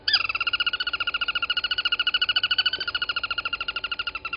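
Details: Crested barbet below a live camera at Gowrie dam waterhole, Djuma Game Reserve, Sabi Sand Wildtuin, South Africa, at 07:34 on 23 August 2020. A loud, sustained, rapid trill of ringing pulses, about ten per second, runs without a break.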